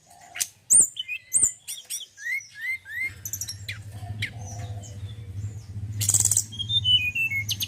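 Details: Male forktail, described as singing well: sharp high clicks and chirps, a few falling whistled notes, then a buzzy burst and a descending run of short whistles, with a low hum in the second half.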